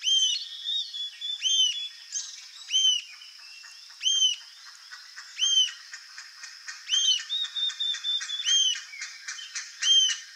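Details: Rufous-tailed jacamar song: sharp, high arched notes, bright and slightly downslurred, repeated about every second or two with short thin twitters between, over a steady high insect-like hum.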